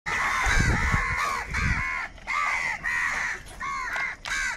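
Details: Crows calling while fighting over food, described as angry and calling for food: harsh, nasal caws rise and fall in arched notes, about six calls spaced by short pauses, with low thuds in the first two seconds.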